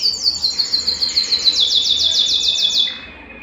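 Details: ['Belgian canary song, meant to warm up a cold canary and get it singing: a rapid series of high whistled trill notes, dropping slightly in pitch, repeated about three times a second. The song fades at the end.']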